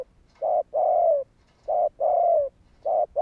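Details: Spotted dove calling to prompt other doves to call, a call used for trapping; low hooting coos in paired phrases, a short note then a longer one with a sliding fall, repeated several times in quick succession.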